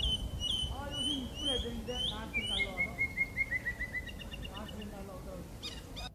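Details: Common blackbird (Turdus merula), described as a rare passage migrant in Korea with a clear-toned voice, sings varied whistled phrases with slurred notes, then a fast run of repeated short notes falling slightly in pitch, over low background rumble.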